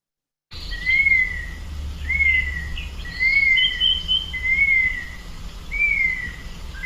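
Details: A Gray Hawk, whose distinctive call often alerts birders to it, at sycamore-lined Harshaw Creek in Arizona's Patagonia Mountains, gives clear, plaintive whistles that rise then slur down, about once a second, over a low steady rumble.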